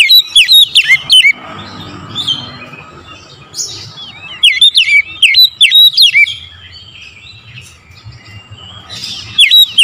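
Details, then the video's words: Lure song of an oriental magpie-robin at morning: three clusters of loud, rapidly repeated whistled notes with sharp downward-upward slurs, broken by softer twittering and a steady low background hum. "TERAPI PANCINGAN AMPUH KACER DIPAGI HAR1"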